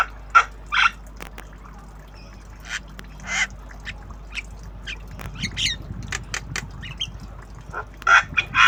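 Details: Young tame Javan myna practising its sounds utters irregular harsh squawks and clipped chattering notes, loudest at the start and end, with softer scratchy calls in between.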